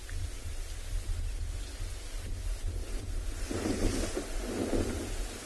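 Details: Gusty wind buffeting the microphone, with low rumbling throughout and no animal calls.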